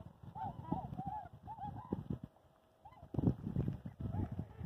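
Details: Several trumpeter swans, two flocks taking flight on 29 January 2022 at Julia Butler Hansen (Columbian White-tailed Deer) National Wildlife Refuge near Skamokawa, Washington, give nasal, bugling honks in quick overlapping bursts over loud splashing and thumping wingbeats.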